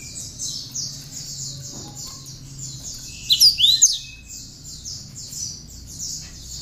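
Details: Hand-fed, tame cinereous tit singing prinia-style phrases, kept to train other birds; a single sudden burst of sharp, twisting whistles mid-recording, surrounded by a constant high buzzing din.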